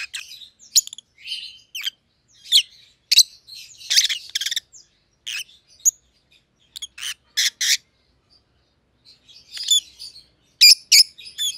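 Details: Pet rosy-faced lovebirds of white-headed opaline colour, pallid and green, keep up lively chirping over eleven seconds: bursts of harsh squawky notes, a short pause, then a final cluster of loud clipped chirps.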